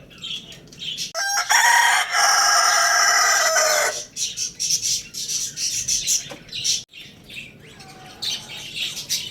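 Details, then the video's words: Lohmann Brown rooster at Lalukhet bird market giving a long, loud, strained crow of nearly three seconds, preceded and followed by busy high-pitched chirping and twittering from many small birds nearby. "Amazing Roosters Crowing Sound Effect"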